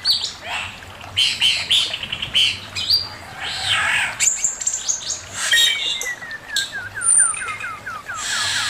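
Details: Male Chinese hwamei, a master song recording, pours out varied loud phrases: harsh bursts, whistled notes and a run of quick rising slurred whistles repeated in series toward the end.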